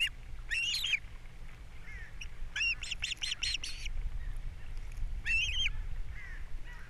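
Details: Osprey pair nesting on Captiva, April 3, 2022. The female feeds the chicks after the male brings in a fish. Short volleys of sharp whistled chirps are broken by faint single calls, over a low background rumble.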